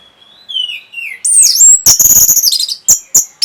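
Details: Orange-headed thrush singing to stimulate breeding urge and a reply: a soft falling whistle, then loud high buzzy notes and sharp rasping bursts, ending in short clipped chips.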